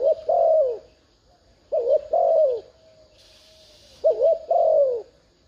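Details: Thúc gù urging coo of a decoy spotted dove that draws wild doves to call: three soft double phrases, each a short warbled note plus a sustained descending coo, with a faint hiss in one gap.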